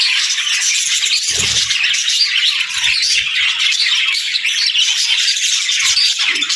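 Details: Parakeets and lovebirds calling together in the morning, a steady high-pitched babble of chirps and squeaks; soft low bumps sound early on and again near the close.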